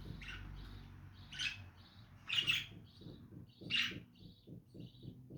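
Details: Lovebirds chirping: loud, harsh high squawks, with thinner short peeps between them, over a steady run of soft low ticking pulses.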